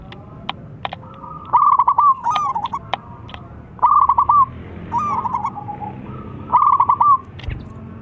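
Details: Local zebra dove calling and a rival replying; stuttering trilled coo phrases every couple of seconds, interspersed with sharp tapping clicks.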